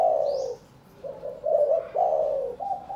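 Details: Spotted dove of the 'vân rồng' plumage type from Cần Thơ, Vietnam, caged beside a prospective mate for several days before pairing for breeding; low, hoarse cooing in short repeated phrases, with a faint high thin whistle near the start.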